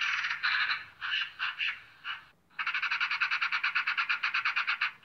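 A Eurasian Magpie gives harsh, rasping chatter: a few broken bursts, then a fast, steady rattle of about five dry notes per second.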